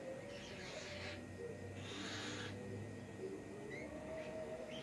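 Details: A pet cockatiel getting mad gives breathy, airy hisses in two bursts, the sound of an angry bird.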